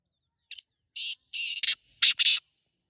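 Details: A wild black francolin (Teetar) in Pakistan gives a single phrase of short grating notes that grow louder and harsher, ending in two loud rasping bursts.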